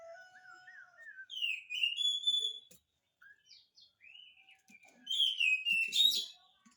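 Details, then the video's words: Lively oriental magpie-robin song meant to spur quiet birds to sing, with soft wavy warbles, then bright downslurred whistles in quick bursts, a brief pause, and a final loud sweeping phrase. "kacer gacor, cocok untuk pancingan kacer malas bunyi"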